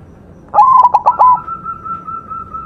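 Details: White zebra dove in full song, used as a master recording for training birds: one cooing phrase broken into a quick run of clipped notes, followed by a long, steady, even whistled tone.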